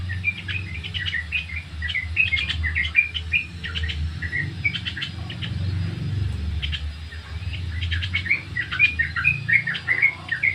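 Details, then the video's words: Lure recording of ngriwik-style Sooty-headed bulbul song: dense clusters of sharp chirps and short slurred whistles, clumped in bursts over a steady low-pitched background drone. "Suara Ngriwik trucuk"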